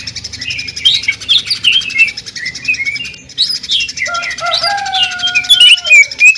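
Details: Greater green leafbird pouring out jamtrok song with tembakan and a sewing-machine sound: busy, chattering high phrases, then smooth, lower, drawn-out whistles sliding downward near the end.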